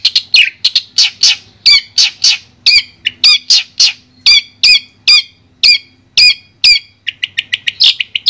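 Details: A long-tailed shrike's loud, harsh phrases, intended to stimulate a shrike that has stopped singing: emphatic downslurred notes with strong overtones repeated steadily, about two per second, ending in quicker chatter.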